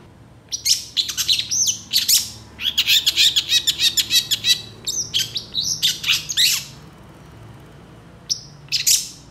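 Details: Long-tailed shrike in full, agitated song rich in imitations, stirred by other shrikes; a dense, scratchy chatter of rapid harsh notes for about six seconds, a pause, then a brief whistle and squeal.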